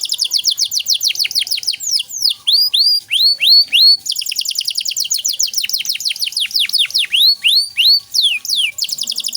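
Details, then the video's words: Long stretch of nonstop canary song, 'cengkok mewah' style, for tutoring untrained songbirds: rapid high trills alternating with clear swooping whistles, phrases changing every second or two without breaks. "Masteran Kenari Gacor Cengkok Mewah untuk Burung Bahan"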